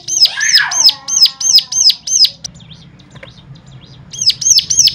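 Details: Stimulating song meant to make other cigun birds sing: sharp high arched notes repeated about three per second, broken by a pause with softer faint notes, then resuming; a lower descending sweep at the start.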